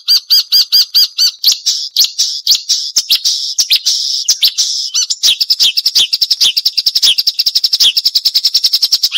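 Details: Marsh warbler song as a training recording for songbirds, sharp and loud: a rapid series of high, harsh, evenly repeated notes with buzzy chatter in the middle, ending in a fast rattling trill.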